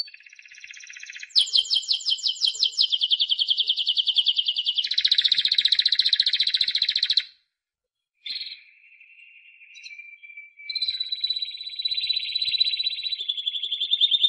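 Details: Timbrado canary in sustained song: a soft trill swells into a loud, rapid rolling trill, shifts to a lower buzzy roll, pauses, and resumes with softer tonal notes and a steady trill.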